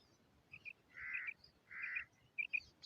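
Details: Female common quail calling: short paired notes, then two longer, harsher rasping bursts about a second apart, followed by more quick paired notes, over a quiet background.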